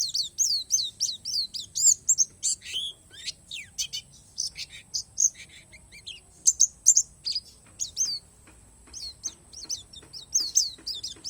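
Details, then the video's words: Palas Borneo Oriental white-eye with isian alam song: a rapid tumble of high sliding chirps and sharp ticks early on, then scattered whistled notes and short trills with small pauses between them. "SUARA PLECI PALAS BORNEO"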